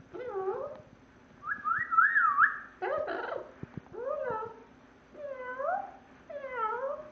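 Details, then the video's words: Pet parrot (female) meowing like a cat inside a portable cage. Several curved meows come between a bright whistled warble and a harsh burst, and a voice speaks just afterwards. "Parrot meowing in portable cage"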